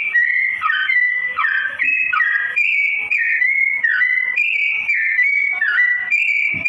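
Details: Sooty-headed bulbul in a slow-tone song used as tutor material for straw-headed bulbuls: bubbling whistled phrases, each slurring down then up, repeated steadily with hardly a pause.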